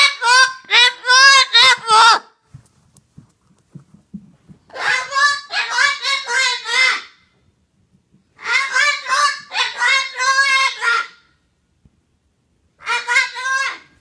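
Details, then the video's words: Hysterical parrot calling in the morning: four bursts of rapid, harsh, grating squawks, each bout lasting two to three seconds, separated by quiet pauses with faint room noise. "Hysterical Parrot / Попугай Истеричка"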